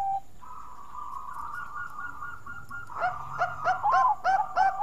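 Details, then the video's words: Bangkok zebra dove used as a lure for other singers: a string of clipped, bouncing coo notes about every third of a second follows a low, steady wash of distant cooing. "Burung Perkutut Bangkok Suara Merdu Bikin Pancingan"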